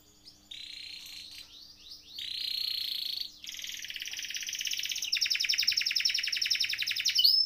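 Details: Canary (kenari) singing a long rolling masteran song meant to prompt other canaries to sing: buzzy trills of fast repeated notes and a sustained high rattle that grows louder toward the end.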